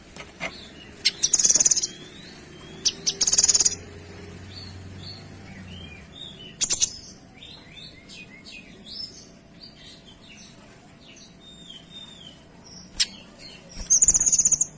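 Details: Kinoy singing lively in rapid, clear bursts: loud harsh trilled blasts near 1.5, 3.5, 6.7 and 14 seconds, with many short high chirps and thin whistled notes scattered between them.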